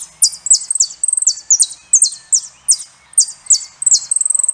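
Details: Saffron finch song: a steady stream of high, bright chirps and short slurred notes, broken by quick rattling trills, delivered rapidly without pause.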